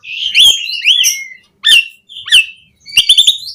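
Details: Asian pied starling in rich varied song for encouraging captive birds to sing: long wavering whistled phrases mixed with harsh buzzy notes, separated by short pauses, ending in a rapid chattering cluster.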